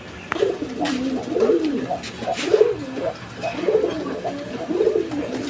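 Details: A running pair of Bombay pigeons, domestic pigeons kept indoors at a farm in Bangladesh, cooing in a call quality described as different from others. Low throaty rolling coos repeat about once a second in a small room.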